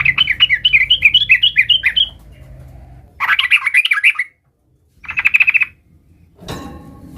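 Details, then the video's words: A sooty-headed bulbul, an active singer learning to roll (ngerol), gives bouncy rolling runs of warbled notes, then a shorter fast series and a brief buzzy burst. A harsh noise is heard near the end. "suara trucukan gacor belajar Ngerol"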